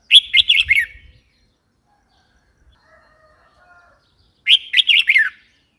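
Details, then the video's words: Red-whiskered bulbul call: two bright, bubbly phrases of four quick warbled notes, the last dropping in pitch, about four seconds apart, with faint soft notes between. "Red whiskered bulbul call"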